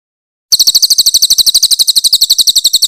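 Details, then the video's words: Short excerpt of cililin (Grey-headed canary-flycatcher) harsh 'tembakan kasar' song from a master recording for songbird training. A loud rattle of high, sharp notes starts abruptly and runs at about nine notes a second. "AUDIO MASTER BURUNG CILILIN GACOR FULL TEMBAKAN KASAR & SUARA JERNIH"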